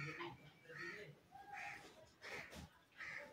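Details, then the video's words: Green ringneck parrot imitating human speech, producing a run of voice-like syllables with shifting tones, indoors. "green ringneck talking parrot"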